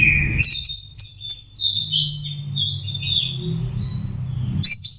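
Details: Young orange-headed thrush practising its song: a low whistled note, then a rush of high, bright, slurred warbling phrases run together, and another quick burst at the end, over a faint low rumble.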